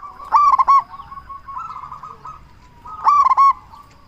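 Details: Loud local zebra dove, a lure call to draw answers from other zebra doves: two bursts of stuttered, ringing coos about three seconds apart, with a faint rolling trill of quieter coos between them.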